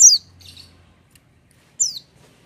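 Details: Oriental white-eye said to sing freely without supplements: two short, high, down-slurred chirps nearly two seconds apart in an otherwise quiet setting.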